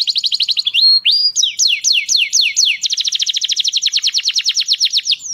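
A canary sings a loud, rapid song of fast trills and repeated downward-sweeping whistles, switching between phrases every second or so, with no other sounds.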